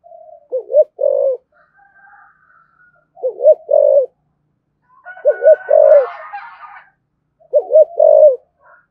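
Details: Spotted dove giving 'thúc gù' urging coos in the 'thổ sấm' style. Four short phrases of two or three quick, low coos, a few seconds apart, with a brief noisy rustle in the middle.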